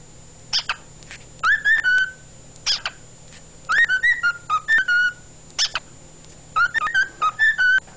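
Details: Captive male cockatiel singing at home on 16 February 2011, a lively run of piercing chirps and warbled whistles that rise and hold, repeated in three phrase groups, with low mechanical humming underneath.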